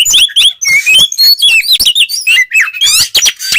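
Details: White-rumped shama in full song used to provoke other shamas into aggression, a rich run of whistled notes, rapid trills and sliding phrases around two to eight thousand cycles, delivered in quick varied bursts with short gaps.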